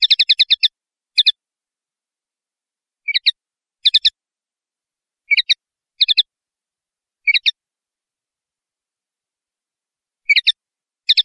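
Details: Linnet singing in stop-start phrases, clusters of three to five rapid high twitters repeated every second or two across the recording, crisp and free of other sounds.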